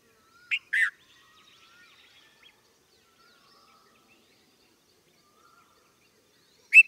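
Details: Red-vented bulbul call: a short high chirp followed by a louder falling note, a long quiet stretch with faint soft twittering in the background, then one last sharp chirp.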